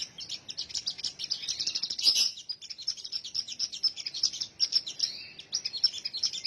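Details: Sunbird singing a continuous, very high-pitched stream of quick chirps and tinkling notes, with a brief loud burst about two seconds in.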